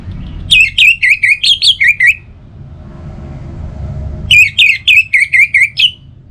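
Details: Orange-headed thrush singing, played to encourage other birds to sing in the morning and evening: two phrases of rapid, slightly descending whistled notes, about eight notes each, with a quiet gap between.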